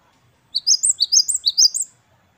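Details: Single quick phrase of great tit song in the wucit wucit kristal style, known locally as gelatik batu wingko: around eight high, clear, swooping notes in pairs, lasting about one and a half seconds on a quiet background.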